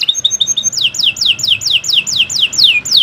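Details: Canary (Kenari Nusantara) singing to stimulate young birds: a short soft trill followed by a steady series of ringing whistled notes, each sliding sharply downward, about three every second.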